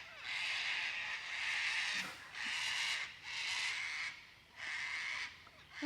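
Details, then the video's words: White cockatoos from a flock of about 50 or 60 that arrives every morning, harsh raspy screeches in four long broad bursts about a second apart, with no tuneful song. "They don't have a pretty song. They just winge it."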